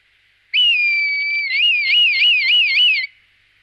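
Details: Red kite from the La Moraña and Tierra de Arévalo district gives a loud, high, steady whistle lasting about a second. It breaks into a wavering, quavering series of rising and falling whistled notes, about six undulations, then stops abruptly.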